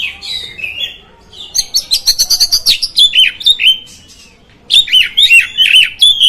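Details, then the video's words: Oriental magpie-robin singing to stir rival magpie-robins: loud fluty whistles and rapid buzzy trills alternating, with ringing upslurred notes in quick series near the end. "Suara Burung Kacer, Buat Memancing Burung Kacer Anda Emosi."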